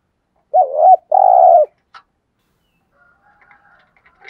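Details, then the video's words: Spotted dove kept as a decoy, cooing to provoke wild doves: a wavering two-part coo followed by a long steady hollow note, then faint distant clicks and soft sounds. "chim cu gáy mồi bài bản thúc gù kích bổi xiêng gáy theo cả ngày"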